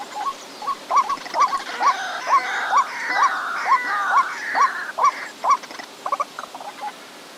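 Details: White-breasted waterhen calling in a regular run of hooked croaks, about two each second, against a steady higher buzzing chorus, then trailing into softer stuttered notes.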